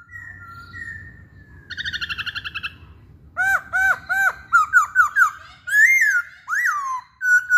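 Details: Masked laughingthrush singing, a song used to prompt other birds to sing: steady whistles, a rapid trilled burst, then a series of loud, rich, downslurred whistled notes repeated in quick succession.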